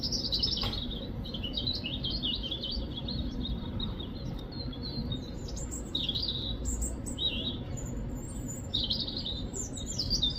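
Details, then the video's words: A robin sings high, thin, warbling phrases, each varied and separated by short pauses, over a steady low rumble of background noise. "Robin bird sound | Robin bird chirping sound"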